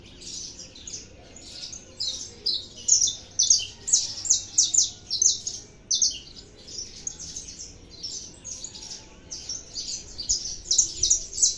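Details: Saffron finch (canário da terra) singing heavily: starts quietly, then long runs of rapid, high, sharp chirps repeated about twice per second, with a short pause and another energetic burst.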